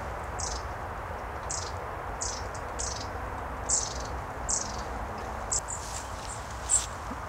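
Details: Long-tailed tits feeding as a flock in bare winter trees by the Sieglarer See near Bonn, Germany: short, piercing high notes repeated about every half second to second, set against steady low background roar.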